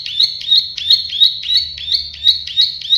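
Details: Plain prinia, called prenjak sawah or klik-klik bird, sings an unbroken string of buzzy, twanging clicks at a steady pace of roughly three per second, loud and clear over a faint low hum.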